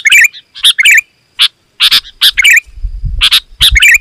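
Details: Sooty-headed bulbul in loud, rapid song meant to draw wild bulbuls closer: clustered sharp chirps and bubbly notes with brief pauses, plus a low rumbling noise near the end.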